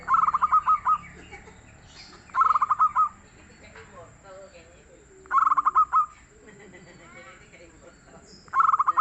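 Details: Local zebra dove singing steadily, four phrases about three seconds apart, each a quick rattling series of soft coo notes finishing in a couple of longer notes, with faint chirps from other birds in between.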